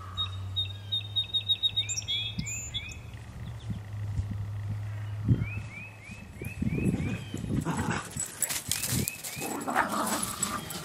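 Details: A Song Sparrow sings to three Border Terriers: bright opening notes, then a quick series of repeated slurred notes, with low hum, rustling and dog noises late.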